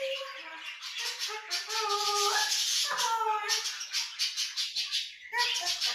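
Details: Two pet grey parrots indoors whistling a melody: clear tonal notes, some held, some stepping or rising in short phrases, over steady buzzy chatter of budgerigars screeching in the same room.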